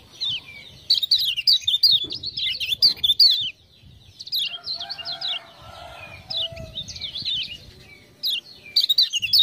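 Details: Tutor Lemon-bellied white-eye from Lombok sings after ciak-ciak prompting: rapid high chattering phrases in bursts separated by brief silences, the middle part accompanied by a lower, harsher murmuring sound.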